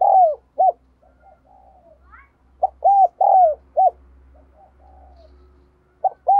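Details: Decoy spotted dove cooing to stimulate and excite males: mellow, arched coo phrases in paired and triple groupings, each note swelling then falling, repeated in bursts with quiet gaps and a faint low hum beneath.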